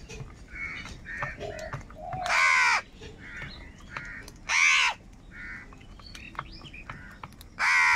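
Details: Crows fighting for food: faint distant caws in the background, then three loud, hoarse, drawn-out caws spaced a couple of seconds apart.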